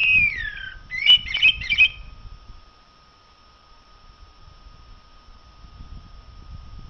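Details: ['Blackbird song with a descending fluted whistle followed by three quick warbled bursts. Quiet background murmur follows.']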